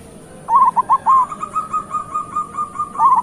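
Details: Zebra dove phrase of quick bouncy notes trailing into a long run of soft evenly spaced coos, a new phrase starting at the end, with a faint high steady hiss.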